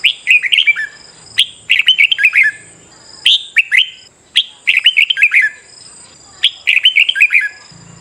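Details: Red-whiskered bulbul song used in morning training to stimulate competitive singing: short phrases of quick, warbling, slurred whistles, each opened by a sharp high note, repeated roughly every one to two seconds; constant thin high-pitched hum in the background.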